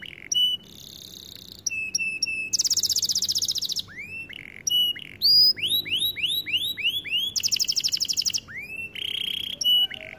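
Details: White canary in varied song: short piping notes, fast buzzy trills, and runs of loud rising swept whistles repeated about twice per second, separated by brief silences, clear and close.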